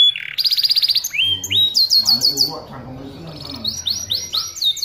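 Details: Canary singing gacor-style for tutoring: a low note, then a rapid high trill, sliding rising notes, a run of sharp falling syllables and quick upswept chirps, with soft lower chatter in between.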